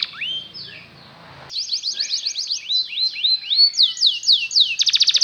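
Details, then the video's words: Canary song meant to lure canaries into singing: soft scattered chirps at first, then a run of sweeping slurred notes at a moderate pace, closing with a quick dry trill. "LONG CANARY SOUND || EMOTIONAL CHANNELING EFFECTIVE to lure canaries to learn to sing"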